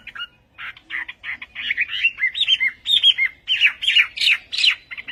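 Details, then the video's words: Chinese hwamei in Vietnamese song style, delivering harsher, buzzy, squawk-like phrases mixed with short whistles, irregular and rising in loudness. "HỌA MI TÂY - TIẾNG HÓT VIỆT"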